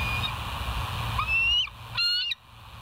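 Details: Bald eagle at the West End nest on a live camera, 19 July 2023 near 05:03: a long thin whistled note sliding upward, then a short burst of high piping notes, over a steady electrical hum.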